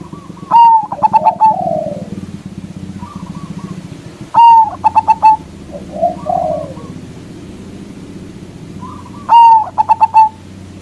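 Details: Local zebra dove with a strong voice, used to provoke rival doves, gives three phrases about four seconds apart. Each has a sharp whistled note and a clipped staccato run, followed by muffled coos, over constant low rumbling noise.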